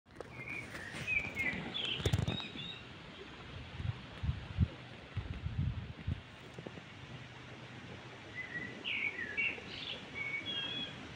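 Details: Birds singing on a seaside boulevard: short, bright chirps and twittering phrases early and again near the end, over a steady low rumble of wind and outdoor noise with occasional thumps.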